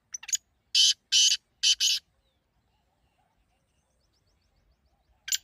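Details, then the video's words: Partridge (teetar) calling: a short soft note, then a phrase of three loud, harsh, buzzy bursts near two seconds, and a further burst at the end after a quiet pause. "تیتر کی ایسی آواز جو آپ نے پہلے کبھی نہیں سنی ہوگی"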